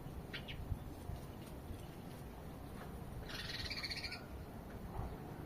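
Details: Sparrows chirping: a quick pair of short, high chirps early on, then a louder, buzzy, harmonic-rich burst of chirping lasting about a second, over a steady low rumble of background noise.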